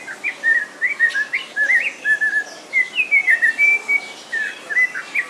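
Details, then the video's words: Captive snowy-crowned robin-chat singing at a bird park in Walsrode, Germany: a steady stream of short sweet whistled phrases, upslurred and downslurred notes strung closely together, with one longer sustained whistle midway. "snowy crowned robin chat song"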